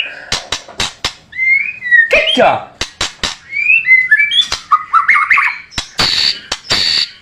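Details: White-rumped shama training song for contest birds: clean separate whistled notes and short slurred phrases, a burst of harsh scratchy notes, and many sharp clicks between phrases.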